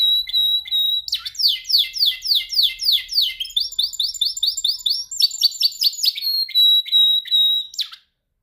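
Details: Pet canary in song training, singing with energy: a long string of rapid downward-swooping whistled notes, then shifts into a higher buzzy trill and clipped repeated phrases, ending with a sharp upward sweep. Clean and close, without background noise.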